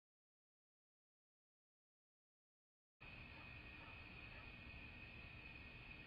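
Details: Three seconds of dead silence give way to steady hiss with a constant electrical hum, and no animal voice is heard.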